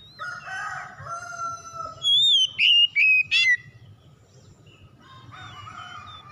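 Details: Oriental magpie-robin song used to coax silent birds into singing: a soft warbled phrase, then four loud, clear whistles in rapid sequence, followed by quieter warbling notes, over a faint low hum.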